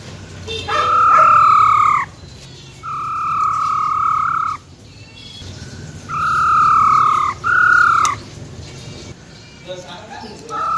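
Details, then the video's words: Wild-type song of a female silver-eared laughingthrush, used to get males excited: a series of long, even, clear whistles lasting one to two seconds each, spaced by short silences, some in close pairs. "Tiếng Chim Khướu || Khưới Mái Bạc Má RO RO || Giọng Rừng Hót Chuẩn - Kích Trống Lên Lửa Cực Nhanh"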